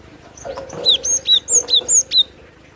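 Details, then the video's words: Cinereous tit lure recording: a bright series of about seven high whistled notes, each sliding downward, delivered in quick even pairs over under two seconds against a quiet background. "Masteran pikat burung glatik batu"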